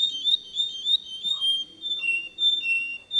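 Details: Canary giving a clean, polished song: long, clear whistled tones held steady at a high pitch, with slight wavering and shifts between two close pitches, over faint low background noise.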